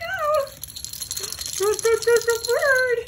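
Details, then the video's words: Moluccan cockatoo, a pet bird playing with its owner and a toy rattle, sings indoors: a loud whistled note sliding downward, then a run of short clipped notes and a final rising-falling whistle, with a rattle shaking and speech in a small room. "the Moluccan cockatoo laughs, sings"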